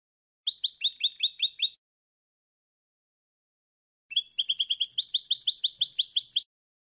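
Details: Goldfinch song for tutoring young goldfinches, 'eco' style lacking endings and flourishes. Two bursts of fast, high repeated notes are separated by over two seconds of silence; the second burst is longer and denser.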